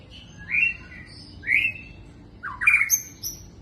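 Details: Magpie-robin singing three loud whistled phrases, each a rich upslurred note with higher thin overtones, spaced about a second apart, against a faint low background hum.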